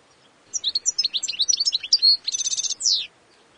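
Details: A wild European goldfinch sings a rapid tinkling phrase of high chirps and quick downslurs. The phrase is broken by a longer note, then a dry buzzy rattle and a final falling slur. The background is quiet.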